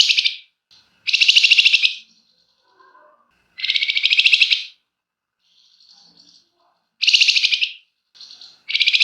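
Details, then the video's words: Energetic flamboyan singing as a lure to set other birds singing, with loud, dense, buzzy trilled phrases of one to one and a half seconds, repeated every few seconds and joined by softer, thin twittering in between. "Burung Flamboyan GACOR Ngebrenn RAPET PANJANG!! Nyecrett Emosi Cocok Buat Pancingan"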